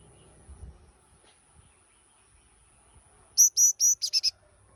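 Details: Yellow-cheeked tit giving a short burst of seven high, clear notes, the first three evenly spaced and slightly longer, the last four quicker and lower, after a quiet stretch with faint low background rumble.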